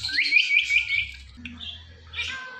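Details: High, rapid chattering from a talking Indian ringneck parakeet: a quick string of shrill rising chirps, then a pause and a softer raspy squeak, with a low background hum.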